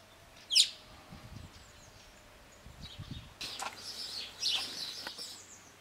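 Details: Alpine (yellow-billed) chough in the French Alps, giving one loud, sharp, high whistled note, then a looser run of thinner, rippling high calls a few seconds later. Low background hum.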